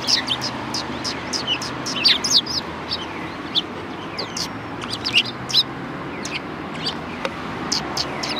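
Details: Sparrows chirping at a Tenmangu shrine, recorded 4 March 2020: a busy flurry of short, bright tweets from more than one bird, denser around two and five seconds, over soft background rumble.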